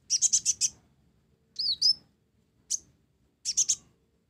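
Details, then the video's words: High chirp series from a mottled ninja sunbird whose song borrows sparrow notes: a fast run of five chips, a swooping whistled note, a single chirp, then three more. "Kolibri Ninja Blorok Gacor isian Gereja"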